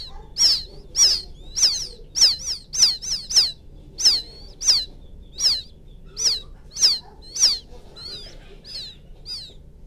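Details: Quail chick calling for its mother: rapid bursts of high, sharp, descending chirps, sometimes doubled, fading to softer notes at the end.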